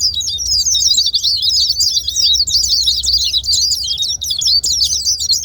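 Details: High-pitched white-eye chatter used to trigger singing in quiet white-eyes: a constant jumble of quick sweeping chirps with no real pauses.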